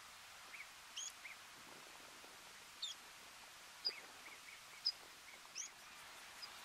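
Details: Water pipit (Anthus spinoletta spinoletta) in Tignes, France, in July 2020, gives about five thin, sharp, high-pitched call notes scattered at an uneven pace over several seconds against a steady background hiss.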